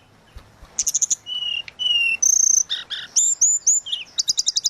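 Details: Flute-style 'suling gacor' song of the tledekan laut, meant as tutoring material for songbirds: quick chip bursts, long steady whistles at different pitches, buzzy notes, then a closing series of rapid repeated chips.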